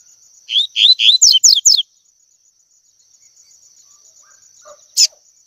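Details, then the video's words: Double-collared seedeater singing the tui tui song style, a recording used to train young birds to sing: a quick run of about six bright, slurred whistled notes swooping up and down in under two seconds, then silence and a single sharp click. "COLEIRO TUI TUI P/TREINAR PARDINHO A CANTAR TUI TUI"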